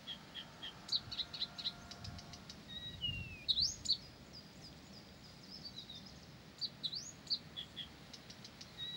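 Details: Blyth's reed warbler in continuous song: rapid clicks and chirps, a descending whistle, then swooping high notes, over faint background noise.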